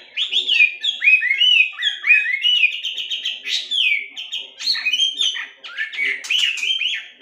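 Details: Melodious laughingthrush, or Chinese hwamei, singing to train birds to sing actively: a rich, continuous run of clear whistled phrases, slurred up and down and changing every moment, with no pauses.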